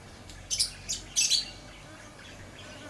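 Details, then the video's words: Lovebird giving harsh, high chirps and squawky bursts, about five notes clustered in the first half, then a quiet stretch over low steady background noise. "Lovebird Chirping Sounds for Relaxation and Attraction - Lovebird Sounds"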